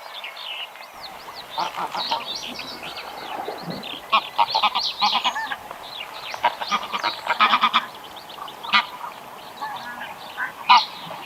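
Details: Many greylag geese honking together, a dense, overlapping chorus of harsh nasal calls that swells and fades over about eleven seconds.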